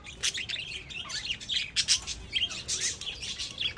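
Lovebirds chatter in a busy stream of shrill, high chirps and squeaky twitters, several notes overlapping each second with no clear pause.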